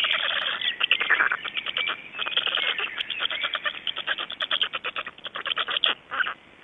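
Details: Black storks at 05:15 on 26 May 2012 in Estonia: loud continuous rattling clatter that breaks into quicker, choppier bursts toward the end and then fades.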